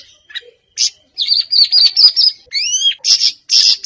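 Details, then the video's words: Siri-siri bird, offered as a lure so a kept bird sings often: a few isolated high chips, a wavering twittered phrase, two rising whistled slurs, then loud buzzy chirps. "Burung Siri Siri bakal buka paruh dan gacor"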